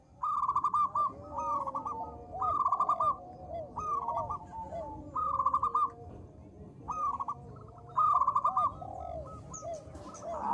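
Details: Local zebra dove calling, used as a lure to prompt other doves to sing: short bursts of rapid, rattling coos repeated every second or so, with softer lower cooing between and a constant broad background hiss.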